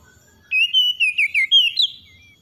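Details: Oriental magpie-robin morning song: a run of clear, wavering whistled notes, five or six quick warbled syllables in a row ending with a higher rising slur.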